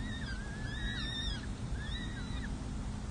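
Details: Peregrine falcon chicks in a San Jose city hall nest, fed by their parents on May 7 2024: two long, quavering high whines that waver up and down, set against a continuous low hum.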